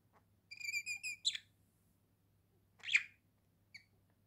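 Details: Pet budgerigars, a pair kept at home in a cage: a quick run of stacked whistled chirp notes, then a buzzy squawk, another buzzy squawk after a pause, and a brief final chirp.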